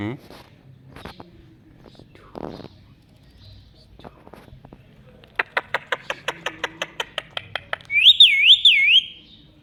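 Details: Pet rose-ringed parakeet talking: a few scratchy speech-like notes, then a fast run of sharp, evenly spaced clicking notes, ending in a loud wavering whistle that rises and falls three times.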